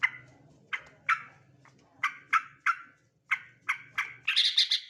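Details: Male sooty-headed bulbul delivering a series of bright, slurred chirps roughly every half second, finishing with a fast, dense burst of higher twittering notes.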